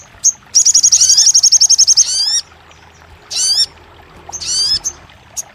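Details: Sogon, the crested jay, in a song meant to make a silent bird start singing: a single high chip, a rapid even high-pitched trill of about a second and a half, then clusters of rising sweeping notes and isolated chips.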